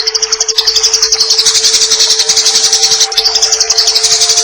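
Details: Eurasian tree sparrow in fighting-style chatter, used as a tutor recording for training cage birds: fast, bright, high chirps rolling about four per second in dense runs, over a steady low hum and added running-water sound.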